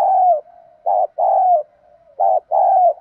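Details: Lure coo of a spotted dove, 'đồng' voice style, meant to get new birds cooing. Paired mellow phrases: a brief note followed by a long, slightly falling coo, repeated twice with quiet humming between.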